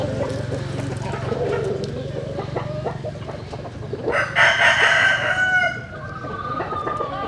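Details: Rooster crowing at dawn while chickens sun themselves in the morning; a loud, drawn-out crow bursts in midway, rising then falling in a harsh sustained note, after low background murmur and clucking.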